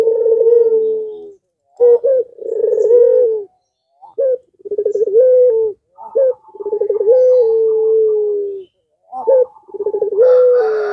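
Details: Puter pelung (spotted dove) calling to provoke rival doves into answering: a series of low, mellow coos, some drawn out into long steady notes with a slight rise at the end, phrases separated by short pauses, in a quiet background.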